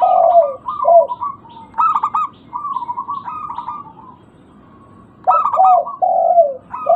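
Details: Lure recording of local zebra doves meant to restart calling: burry, stuttered coo notes run together, then a pause before rapid pulsed coos and lower falling coos resume.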